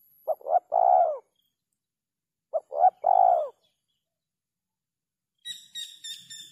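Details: Spotted dove giving two three-note kuk 3 phrases about two and a half seconds apart, short note, rising coo, long falling coo, followed by a brief harsh buzzy sound.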